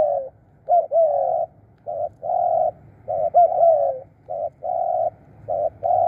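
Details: Decoy spotted dove calling in Thailand, mixing flat sustained coos with hooked, falling coos in an uneven, continuous series.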